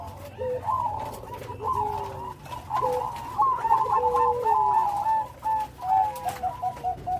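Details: Zebra dove of the Bangkok type singing with a big voice; lower bent coos alternate with higher rippling trilled phrases, building into a dense run of quick bubbly notes.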